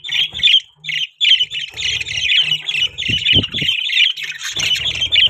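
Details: Pet budgerigars chirping: dense, steady chatter of harsh, squawky high chirps running almost without pause, with a few low knocks and bumps partway through.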